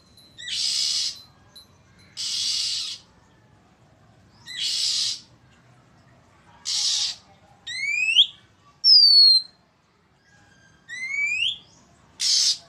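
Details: Oriental magpie-robin uttering loud, long-lasting threatening calls on 1 April 2023: harsh rasps repeated every couple of seconds, interspersed with clear downslurred and upswept whistles.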